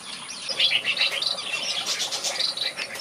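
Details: A red-whiskered bulbul in a bird aviary sings quick, bright chirping phrases that tumble over one another, with other busy twittering overlapping throughout and a faint high hiss.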